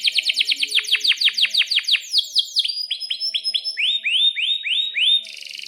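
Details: Canary song with sharp chirps, used as a lure and tutor for young canaries: repeated falling chirps in fast rhythm, then steady rising whistles about three per second, ending in a brief buzzy trill.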